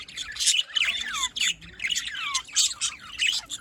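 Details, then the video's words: Budgerigars in morning chorus, Larkana, Sindh, 5 November 2023: rapid warbling chatter with slurred downward whistles and squawky notes in repeated phrases, several birds overlapping. "Budgies birds morning Sounds"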